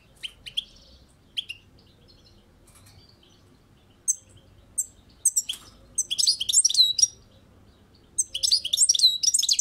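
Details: European goldfinch kept on a balcony, singing in Turkish song style: scattered high twittering notes, then dense bursts of buzzy, tinkling phrases after a pause, bright and high-pitched with quiet surroundings.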